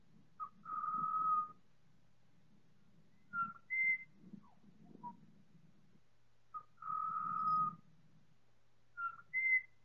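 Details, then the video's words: Time-stretched chorus of four Pied Butcherbirds: a repeated phrase of a short pickup note, a long fluted whistle, then rising higher notes, sung twice across the stretch with soft scattered notes between. "4 Pied Butcherbirds singing in choir"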